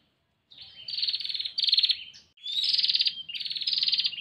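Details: Female bar-winged prinia calling to the male, long runs of harsh buzzing trills with a brief whistled slide between them, starting after half a second of silence.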